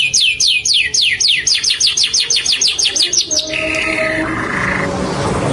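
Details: Green ringneck parakeet from India producing a rapid string of piercing downslurred chirps lasting over three seconds, followed by a couple of flat, sustained whistled tones fading into a rushing hiss.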